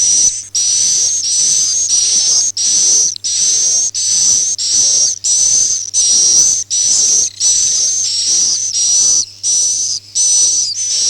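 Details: Swiftlet sound known as Akau ngaji: long, hissy, high-pitched whistled notes, each under a second, repeated steadily about every three-quarters of a second with short gaps between them.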